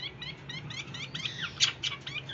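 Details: Hwamei, a fully tame bird, sings in the ôm cóng style: rapid, varied chirping and warbled phrases over a steady low hum.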